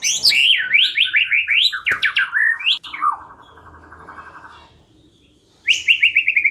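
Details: White-rumped shama lure song: a rapid series of sharp falling whistles, then a long buzzy trill that fades out into near silence before the quick falling notes return.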